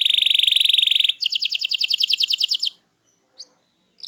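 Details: Canary singing hard to prompt other birds to answer: a rapid high rattling trill shifting into a slower pulsed trill of repeated notes, then near silence with a couple of brief chips.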